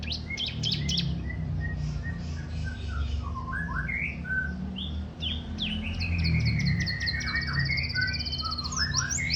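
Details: Canary, described as a very vocal singer, in a varied song of whistled notes, rising and falling slurs and buzzy trills, mostly between mid and high pitch, over a steady low hum.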